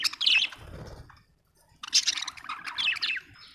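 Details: Budgerigar, described as Australian, giving scratchy chirps in two bursts separated by a short pause, with a low rumbling noise underneath.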